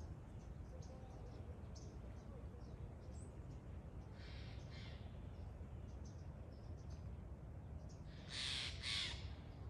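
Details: Steller's jay heard faintly at first, then a loud pair of rasping, scratchy calls near the end, set against constant low-pitched background noise.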